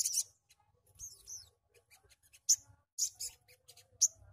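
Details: Sogon giving fast "tembakan" shots of sharp, very high chirps and short squeaky notes in quick, irregular bursts, with brief pauses between phrases and a faint background hum.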